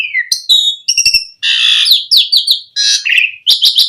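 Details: Asian pied starling song played to lure starlings: a falling whistle, a loud harsh rasping burst, then a series of slurred down-sweeping whistles and buzzy chatter.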